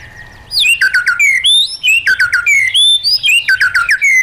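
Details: White-rumped shama singing forest-voice song used to train caged birds; after a brief quiet start, rapid tumbling phrases of bright whistles and downslurred notes follow almost without pause.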